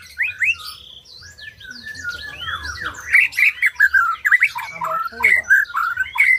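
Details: White-rumped shama (murai batu) song, played to prompt birds that have stopped singing to sing again; a rich, rapid run of varied whistled and chattering phrases sweeping up and down, growing louder and denser in the second half, over a low background hum.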